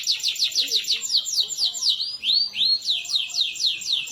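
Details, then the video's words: Domestic canary in lively, champion-style song, played to prompt silent canaries to sing: rapid high trills of repeated downslurred notes about eight per second, interrupted by a few drawn-out arching whistles, then fast trills again. "canary gacor mental jawara cocok buat masteran canary males bunyi"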